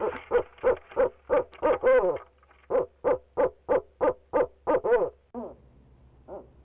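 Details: A male barred owl calls from his nest box in Leesville, where he kept at it for 45 minutes. Around fifteen steady, clipped hoots about three per second, some notes bending and wavering, then softer trailing notes.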